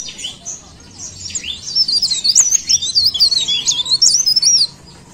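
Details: High, thin warbling from a leaf warbler. A soft start builds into a rapid run of looping, wavering notes that ends abruptly, with no other clear sounds.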